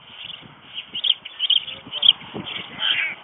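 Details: Feeding time for White storks at their nest in Ostrołęka, Poland: short, harsh, caw-like calls repeat unevenly about twice a second, mixed with soft knocking and shuffling from the nest.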